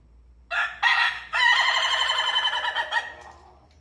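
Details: Rooster crowing: two short clipped notes open the call, then a long wavering, pulsing note carries on for nearly two seconds before trailing off, against a quiet background.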